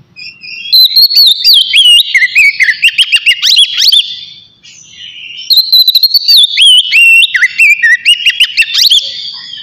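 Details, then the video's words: Oriental magpie-robin in easy flowing song, meant to stimulate singing and breeding drive: two long loud bursts of fast wavering whistles and sharp clicks, separated by a brief near-silent pause. "TERAPI AWAL KACER NGEPLONG SANTAI COCOK BUAT MANCING EMOSI DAN BIRAHI AGAR KACER CEPAT GACOR"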